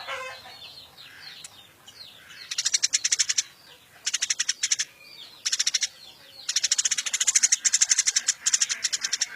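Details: Captive, wild-caught Eurasian tree sparrow being tamed as a tutor bird for songbirds, chirping more and more intensely: scattered soft notes, then loud rapid trains of harsh, buzzy chirps in bursts of about a second, ending in a long sustained chatter.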